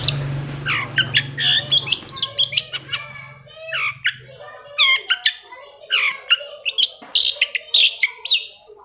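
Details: Long-tailed shrike song played to prompt quiet caged shrikes to start singing: a busy run of sharp chirps, slurred whistles and harsh notes, with a low hum under the opening seconds.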